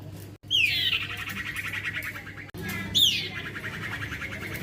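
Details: Young male cipoh, or common iora, calling as a lure: two separate phrases, each a sharp downslurred whistle followed by a rapid buzzing trill, split by short silent cuts.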